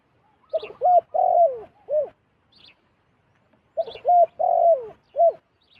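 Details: Wild zebra dove flying in toward a decoy bird. It gives two matching phrases about three seconds apart, each a quick rolling series of arched coos ending in a longer falling note, with faint high chirps nearby.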